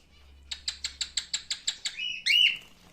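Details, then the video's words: Male cockatiel giving a rapid train of about ten evenly spaced clicking pulses, then a sliding whistle and a loud rising squawk-like note, over a faint low hum. "Erkek Sultan papağanı sesi"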